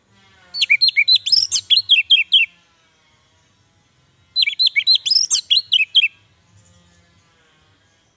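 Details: Orange-headed thrush giving a call used as lure and training audio for thrushes that are reluctant to sing: two bursts of bright, rapid whistled notes, each about two seconds with a short pause, rich and varied with sharp rising and falling slurs.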